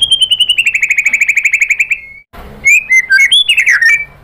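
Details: Vigorous white-rumped shama song used as a lure to make other birds answer: a fast rattling series of about twenty slightly falling notes, a short silence, then loud varied whistled phrases with rising and falling slurs.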